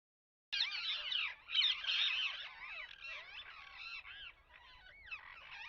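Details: Parrots calling together, many overlapping curved, squeaky screeches and chatters crowding one another after a brief silence, loud at first and then fading to a busy, softer babble.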